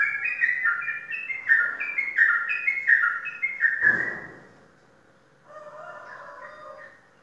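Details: Caged sooty-headed bulbul, a champion contest bird from Indonesia, singing loud whistled two-note phrases that step up and down, about four per second, then a sharp burst and a quieter, lower warble.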